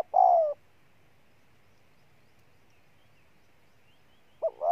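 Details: Spotted dove giving a drawn-out, falling coo note, then a long pause before a fresh phrase starts with two short hooting notes.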